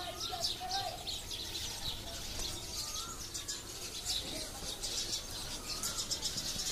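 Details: A huge flock of sparrows in a mulberry tree close to homes chirps in a busy, overlapping chatter of short high notes that swells and fades, with faint whistles from other birds underneath.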